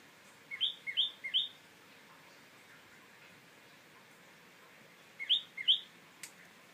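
A tailorbird gives two bursts of three loud, sharp, high chirps in quick succession, separated by a few seconds of quiet background hiss.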